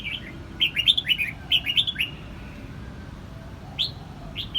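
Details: Red-whiskered bulbul from Vietnam singing: short bright whistled phrases of three to four quick slurred notes, repeated in bursts, then two separate rising whistles after a pause, over a low steady background hum.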